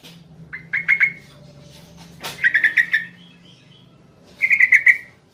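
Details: Night recording of a yellow-vented bulbul, a female calling the male: short runs of chirpy notes separated by pauses, plus one sharp broadband click, over a steady low hum.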